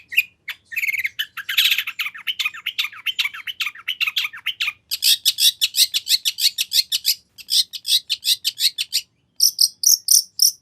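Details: Long-tailed shrike singing a full, varied song used to provoke a rival shrike into replying: dense, harsh, buzzy chatter shifting into fast runs of crisp high notes, broken by brief gaps.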